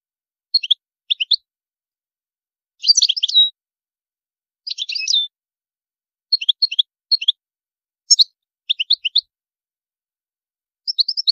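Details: European goldfinch song with high-pitched phrasing: clipped clusters of two or three bright twittering notes, plus two longer buzzy trills. Short silences separate each group and the phrases repeat irregularly over eleven seconds. No other sounds are heard.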